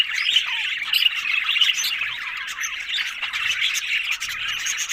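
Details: Budgerigars, happy and talking, give a lively run of short rising and falling squeaks over a constant warbling background chatter.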